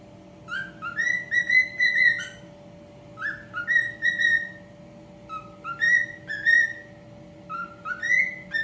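A cockatiel whistles in clear, rising two-part phrases, about four bursts over nine seconds, over a steady electrical hum.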